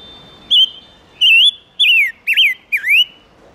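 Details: Lure song of a silver-eared mesia for calling in wild birds and stirring males: a phrase of five bright whistles, wavering and slurred, with the last notes swooping down then rising, over near silence.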